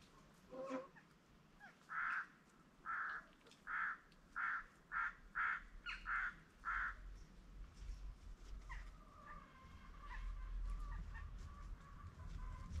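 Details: Peafowl at a farm kept for peacocks, giving a series of about eight loud, nasal, honking calls at an even pace over five seconds, followed by fainter scattered calls and a low rumbling background.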